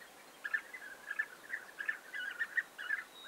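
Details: Close European bee-eaters, 29 May 2021, giving a quick string of liquid trilled calls that run nearly together, strong and clear for over two seconds.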